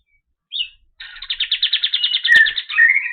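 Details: Clear white-eye song, locally kapas tembak: one short high chirp, then a steady rapid buzzy trill of evenly pulsed notes that ends in a warbled, sliding phrase, with a single click partway through.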